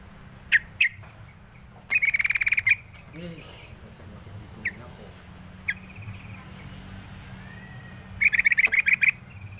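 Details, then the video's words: Scattered single chips from a yellow-vented bulbul, broken by two quick chattering rattles of sharp repeated notes, one early and one at the close, with faint hum beneath. "suara crucukan ngalas"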